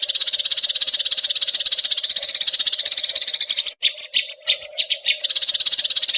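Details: Eurasian tree sparrow chirping nonstop at about three notes per second for training young birds, briefly breaking into a few separate louder chirps near the end before the rapid stream returns; low constant hum behind.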